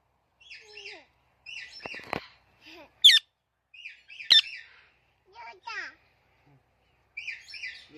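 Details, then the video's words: Talking parrot giving short chirps and squawky, speech-like bursts separated by pauses, with two sharp, piercing shrieks in the middle. "Talking Parrot Natural Chirping Sounds"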